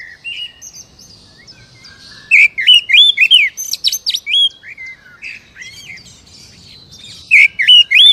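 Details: Captive-bird lure recording of an Oriental magpie-robin: faint whistles, then a long loud run of varied, ringing whistles and sharp chirps, a quieter stretch, and a final bright whistled burst.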